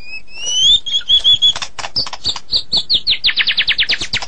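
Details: White-rumped shama of the Medan type singing loudly and at length: high whistled notes sliding upward, then sharp clicks and a fast run of rising chirps repeated about five times a second.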